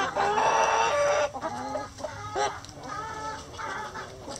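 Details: Chickens in their coop open with a loud, sustained, tonal squawk lasting over a second, followed by a series of softer, evenly spaced harmonic clucks that fade gradually.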